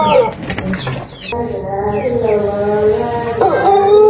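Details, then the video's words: Indonesian Pelung chicken, an ornamental breed from Cianjur, West Java, known for its long, rhythmic, melodious crow. Voices talk at first, then the rooster's sustained, slightly wavering crow carries through the rest of the recording. "Ayam Pelung Indonesia | Suara Kokok Panjang & Merdu yang Unik"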